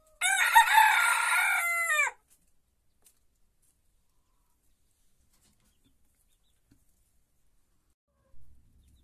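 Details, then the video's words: A small rooster in a henhouse gives one strident crow lasting about two seconds. The call has stacked harmonics and a falling close, followed by near silence and a soft thump near the end. "Gallo pequeño cantando"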